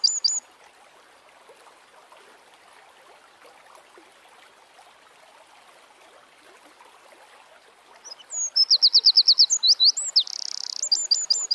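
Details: Eurasian wren (Troglodytes troglodytes) in nature; after several seconds of soft background rushing, a loud high song bursts in with rapid repeated sharp notes, a buzzy trill and closing chips, preceded by a brief song fragment at the start.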